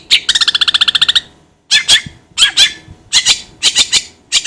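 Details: Long-tailed shrike opening with a fast nasal rattle of about fifteen pulses, pausing, then giving loud harsh rasping notes in pairs.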